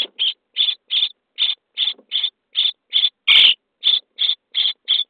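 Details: Day-23 Common starling chicks in a nest box at feeding time give a string of short, scratchy rasping calls at even spacing, with one louder, longer burst near the middle.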